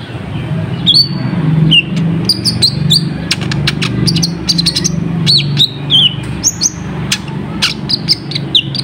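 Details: Lure song of an olive-backed sunbird (kolibri ninja) for calling in wild birds: bright, high chirps and quick descending whistles, clustering into dense ticking runs, set against a continuous low-pitched hum.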